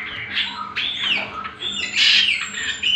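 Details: Greater green leafbird (cucak kombo) lure song for training birds: sliding whistles and harsher squawky bursts, the loudest phrase rising near two seconds, accompanied by a faint high thin tone and low hum.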